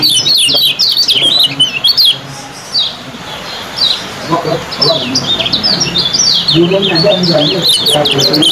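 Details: Yellow kecial competition bird's fast 'ciak' song style, two birds compared for speed: rapid bursts of sharp, high chirping notes in dense strings, with low background coos and noise.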